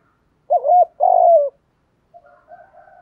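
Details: One spotted dove phrase used to attract other doves: a short two-part hoot, then a long steady coo sliding down at the end, followed by faint thin whistles in the background.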